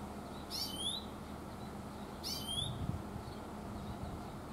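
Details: Oriental greenfinch calling in mountains, its call rendered "chuiin, chuiin": two quick bursts of high, twittering notes ending in a buzzy slurred sweep, about two seconds apart, over a steady low rumble.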